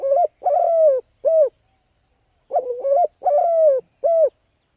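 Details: Cooing of a spotted dove used for luring and training decoys: two phrases of three soft, hollow notes, a short quavering coo, a long drawn-out falling coo, then a brief clipped one, with a pause between the phrases.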